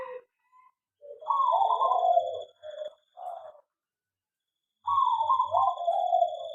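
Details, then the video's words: Perkutut, the zebra dove, kept in an aviary, gives two loud, rich rolling coo phrases separated by a silent gap, with short grunting notes between them and a faint high whine. "perkutut di aviary lebih cepat gacor dan bunyi"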